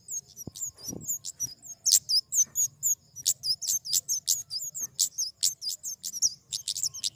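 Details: Flowerpecker (kemade) calling steadily, sharp high-pitched downslurred notes about two per second with a soft low hum underneath.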